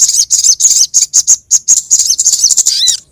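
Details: Sogon bird chirping meant to lure sogon birds: steady, evenly spaced high chirps, roughly three or four per half second, ending in a faint down-slurred whistle.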